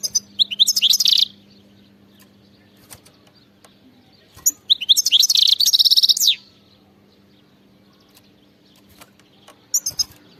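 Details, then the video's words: Wild European goldfinch singing in the bitbita style: two bright, rapid phrases of tinkling, rising twitters and buzzy trills, each about one to two seconds long, separated by several quiet seconds with faint chips. "singing carduelis"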